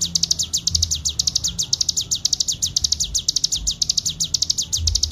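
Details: Rapid ngebren song of a Bar-winged prinia, made as a clean master track for training: high, bright chirps sliding downward, repeated quickly and steadily without breaks over a quiet low background drone.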